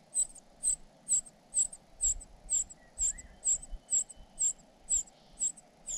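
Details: Begging cuckoo chick tended by foster parents: evenly spaced, high, sharp squeaks, about twelve in six seconds, with a brief faint lower whistle midway.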